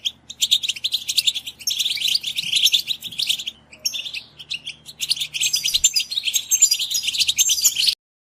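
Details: Group chatter of European goldfinches used to stimulate and excite other goldfinches to sing: thick overlapping twitters and liquid trills in two long bursts separated by a short lull, over a faint low hum.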